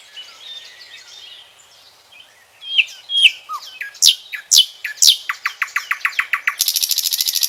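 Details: Common nightingale song opening with soft warbled twitters, building into loud whistled notes and sharp downslurs, then a quickening run of repeated clicks that ends in a dense buzzy rattle.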